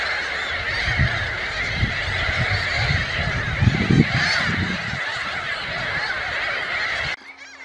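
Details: Rough, low grunting calls of a glossy ibis, repeated quickly and unevenly for several seconds amid a steady din of other birds, ending abruptly.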